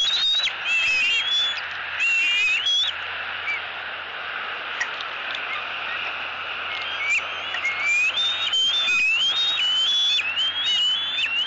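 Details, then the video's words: Young eagle at a Southwest Florida nest, 3 April 2018, screaming at its mother for food as a parent brings a fish. Thin whistled squeals that rise and waver, repeated in bursts, with rustling and flapping noise between calls. "SWFL Eagles ~ Harriet Maintains Control ~ Screaming E11"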